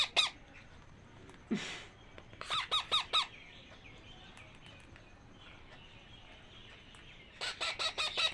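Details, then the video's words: Two hungry hand-fed parakeet chicks give harsh, raspy begging squawks in rapid bursts of four or five while being fed, in two clusters with a quieter pause between them. "টিয়া পাখির বাচ্চার খাবার খাওয়াচ্ছি"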